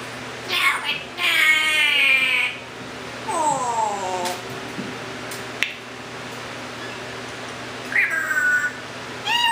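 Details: Pet male Timneh African grey parrot from a bird rescue, a talker with many sounds, making rich harmonic voice-like calls, some sliding downward, then a short upswept note, with quiet room noise between.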